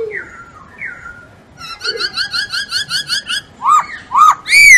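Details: Masked laughingthrush singing vigorously as a tutor recording: soft falling whistles, then a quick regular run of short chirps about twice per second, ending in loud upswept and long falling whistles, indoors.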